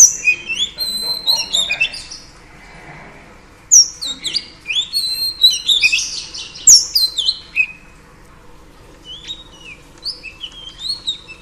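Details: Female Oriental Magpie Robin sings to rouse a male. Short clusters of sharp, clear whistles and rapid descending chirps are separated by quiet gaps, and the bursts grow denser near the middle and then trail off.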